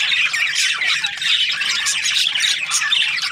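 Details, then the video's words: Breeding pairs of budgerigars chatter nonstop, a mass of scratchy squawks and quick chirps overlapping, with a few brief clearer whistled notes. "Budgies parrot chirping sounds"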